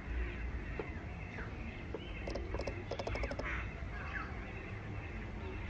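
Jungle babbler giving harsh, grating chatter in quick bursts of rapid notes, over a steady low rumble of background noise.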